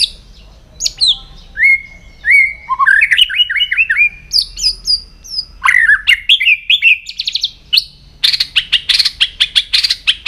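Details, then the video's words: White-rumped shama singing in the morning during voice training: a varied run of clear whistled slides and rising and falling phrases, then sharp chips and a fast, rhythmic burst of repeated notes near the end. "chòe lửa hót sáng luyện giọng chòe lửa hót"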